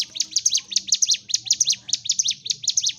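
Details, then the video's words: Sunda warbler (ciblek gunung) in fighting song, used to provoke other birds, delivering a continuous rapid run of very high, sharp, scratchy chirps repeated several times a second with a steady rhythm. "CIGUN / CIBLEK GUNUNG GACOR TARUNG l Terapi Untuk Pancing EM0SI Burung MACET"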